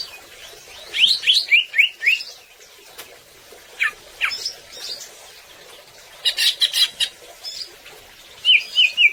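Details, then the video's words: Greater green leafbird, or cucak ijo, in varied song: fast rising whistled notes in a run, scattered sharp downslurs, a burst of scratchy chatter, and a closing series of rolling looped notes. "Suara Cucak Ijo Gacor"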